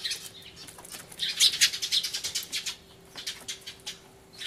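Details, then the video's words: Sparrows making a loud fuss, captured 24 March 2013 on a camcorder with a turtledove present; a dense run of rapid chirps in the middle, then quieter scattered notes. "スズメの鳴き声（大騒ぎ！音量注意） Crying Sparrows (Beware of loud volume because they're crying so hard!)"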